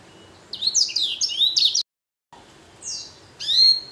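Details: Blackthroat x canary hybrid finch delivering a quick jumble of high, twittering song notes that cuts off. A descending whistle and a loud sweeping chirp follow.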